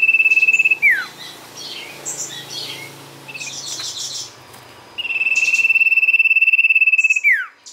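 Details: Lure recording of a sirtu in full song: a long, fast, evenly pulsed trill that ends in a falling slur, scattered high chirps, then a second long trill with the same downward finish.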